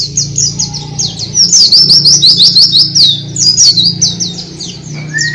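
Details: Oriental white-eye singing open-beaked, as a Dakbal, Pacitan and Muria contest: strings of fast, piercing chirps that swell into a loud zigzag warble, with a continuous low hum beneath.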